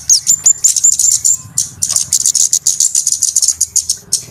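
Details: Flowerpecker trapping lure, busy and noisy: a few thin high whistles, then a rapid rattling flurry of sharp high-pitched ticks, repeated in quick, uneven clusters.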